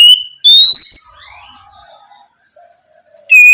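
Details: Oriental magpie-robin night song in the ngeplong style, a lure for young spotted magpie-robins; a few long, pure, steady or slightly rising whistles with quiet faint twittering between them.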